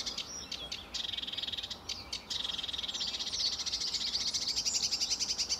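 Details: Early morning at RSPB Fowlmere, July 2013: a sedge warbler sings a few chattering notes, then sustains long, dry, buzzing rattles that pulse rapidly for several seconds.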